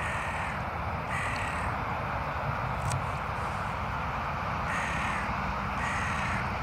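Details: Carrion crows caw during a heated intimidation between rival crows: harsh, hoarse caws in short bursts, a pair near the start and another pair near the end, over steady loud background rumble.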